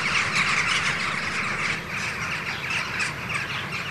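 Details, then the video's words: Morning flock of hundreds of Western jackdaws circling Ringenberg Castle beside a rainbow after leaving their roosts, camcorder recording. Many sharp, clipped calls overlap in a busy chatter, several standing out loudly in the first second. "Dohlen - Tanz um den Regenbogen // Jackdaws - dancing around the Rainbow"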